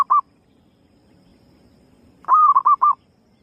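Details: Female zebra dove giving a lure call: a brief mellow coo, a long pause, then a drawn-out level coo followed by three quick clipped coos, all at the same mid pitch over a faint low hum.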